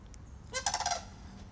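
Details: Two sandhill cranes visiting a property give a single loud rattling, rolling call about half a second long, harsh and rich in overtones, against a quiet background.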